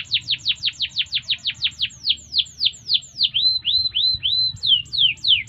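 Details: Training song of a canary: a rapid series of sharply descending notes, slowing into longer falling sweeps, then looping upswept whistles and a final pair of downward notes.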